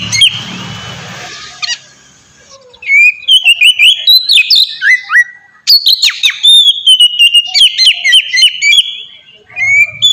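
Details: Oriental magpie-robin song used to coax caged magpie-robins into singing: a rough noisy burst at the start, then from about three seconds a long run of loud whistled notes with quick slurred flicks and clicks.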